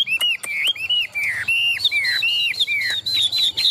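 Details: Chinese hwamei, a large tame cage bird strong at competition singing, repeats arched whistled notes about twice a second, each swelling and falling, later climbing higher.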